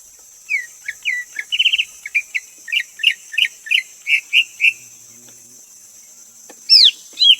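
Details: Greater green leafbird repeating crisp whistled notes, some doubled into little trills, at an even pace for about four seconds, then after a pause two loud down-slurred whistles, with a faint high hiss throughout.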